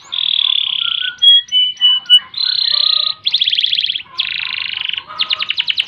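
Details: Vigorous canary song alternating smooth buzzy rolls, short whistled notes and fast rattling trills, in ngerek, ngerol and nembak style, each phrase lasting about a second.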